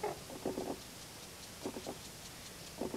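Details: Summer flock of some 100 Common cranes at a lake shore, 2019, birds that do not breed or come to roost: three rough, stacked calls in quick bursts over a steady background hiss.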